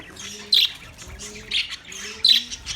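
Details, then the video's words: Budgerigars recorded on 9 March 2024: three sharp, scratchy chirps spaced about a second apart over a faint repeated low rising tone. "Relaxing Sound Of Budgies"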